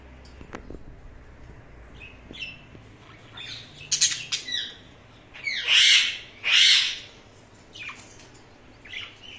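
Indian ringneck parakeet giving harsh, high chirps and squawks, scattered then in two loud bursts near the end, with quieter twitters between.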